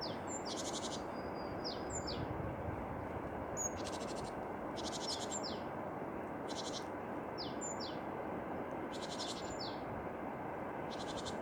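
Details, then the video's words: Tits singing in the wild: high, thin notes and short buzzy trills, repeated in bursts every second or so, over a constant loud low rushing background noise. "Пение синиц"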